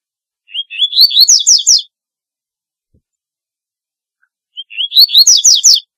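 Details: Double-collared seedeater (Sporophila caerulescens) song, used to call birds in: two bursts of rapid, high chirping notes, each starting with a few short rising whistles and running into a dense buzzy trill, separated by about three seconds of silence.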